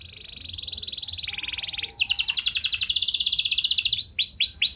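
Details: Canary song meant to set other canaries singing: a soft rolling trill, a short pause, then a loud fast buzzy trill ending in several high arched whistled notes.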